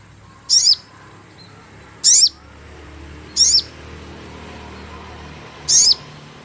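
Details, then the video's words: Sogon lure call for bird catching: four piercing, very high chirps, each quick and falling, spaced about one and a half seconds apart over a noisy, rumbling background. "cuit cuit pancingan burung sogon"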